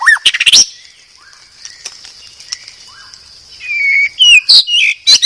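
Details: White-rumped shama (murai batu), Medan type, a master recording for cage-bird training: a loud burst of rising whistles and harsh notes, a long quiet passage with faint soft notes, then a sliding whistle and loud chattering bursts.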